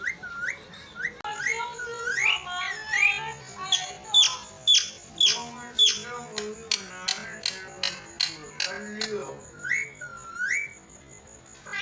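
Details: Parrot talking and whistling at length: upslurred whistles, nasal babbling syllables and rapid clicking strokes, with a faint steady high tone in the background.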